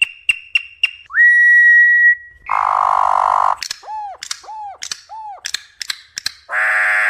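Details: Campo troupial song, wild and meant to stimulate other birds: quick sharp notes, a rising then level pure whistle, a harsh rasp, arched hooting notes alternating with clicks, ending in a nasal buzz.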